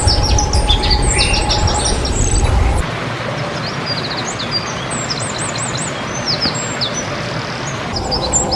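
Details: Male Eurasian wren singing in the Czech Republic: rapid, high, tinkling notes and fast trills, with a rolling trill near the middle, over steady low rumbling background noise that drops away after the first few seconds.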